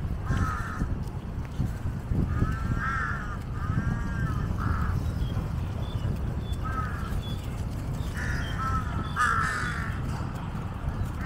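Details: Scattered harsh caws from several jungle crows of a large flock waiting for scraps beside a feeding Asian water monitor and a giant snakehead carcass. Calls come in irregular bursts over constant low rumbling noise.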